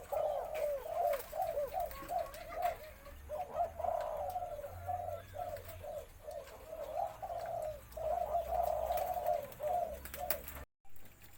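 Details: White-coloured spotted dove, possibly female, with a medium-to-large, deep voice, singing a full four-note khan yon crow. Rolling, throaty coos repeat in rapid phrases with short pauses, and a brief clap is heard.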